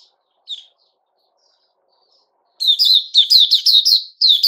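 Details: Male sooty-headed bulbul (Puteh Raja), recorded 10 July 2021. One faint chirp is followed by a pause of about two seconds, then a burst of loud, fast, slurred whistled notes.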